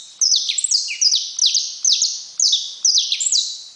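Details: Saffron finch song made of sharp, high downward-sweeping notes, delivered in rapid clusters roughly twice a second with no other sounds.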